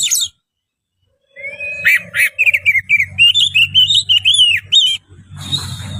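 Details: Oriental magpie-robin in full song: a short high burst, a pause, then a lively string of varied whistled notes, some rising and some warbling, followed by a noisy rustle at the end.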